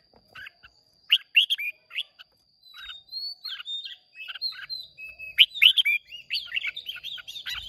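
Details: Caged red-whiskered bulbul from Hoà Bình, Vietnam, in a singing contest on 30 May 2023, delivering short bright warbled phrases of whistled, slurred notes in quick bursts with brief pauses, then a longer, faster run of chattering notes.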